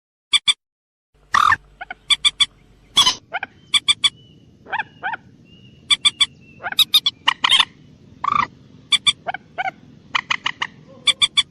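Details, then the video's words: Common moorhen giving a special call: short, harsh, clicking kek notes, mostly single or in pairs and triplets, scattered irregularly through the recording, with a few louder, broader squawks and a soft low hum behind. "ডুংকোর পাখির ডাক / ডুংখোর পাখির স্পেশাল ডাক / Common Moorhen bird call"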